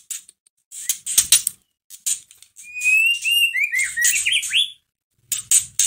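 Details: White-rumped shama song used to provoke a caged bird into singing; sharp high clicks and chips, then a flowing run of rising and falling whistled notes lasting about two seconds.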